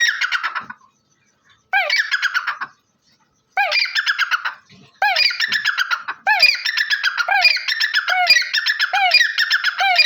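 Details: Black francolin, known locally as Dakhni teetar or Bholla teetar, giving loud harsh grating calls: bursts of rasping, rising strokes with buzzy overtones, separated by short pauses, then running into a near-continuous repeated series toward the end.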